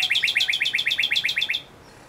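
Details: A male Northern cardinal gives a fast series of about twelve clear, downslurred whistled notes, roughly eight per second, then silence, with no other sounds.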